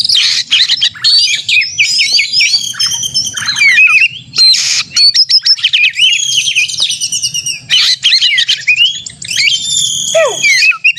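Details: Kacer, or white-rumped shama, in an aggressive song to stir up other shamas: long series of loud varied whistles, chatter and harsh notes, with a steep descending whistled slide near the end.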